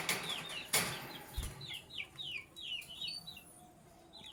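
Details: In the morning, Sky Blue Opaline and Cobalt lovebirds give a rapid run of short, high, downslurred chirps, about one and a half per second, after two sharp harsh bursts at the start.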